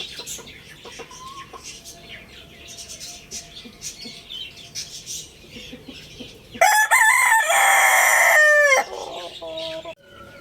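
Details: A Lohmann Brown rooster gives a single full crow of about two seconds. It is loud, rich in harmonics and steady, then ends abruptly. Other birds chirp quietly before it, and a few short clucks follow.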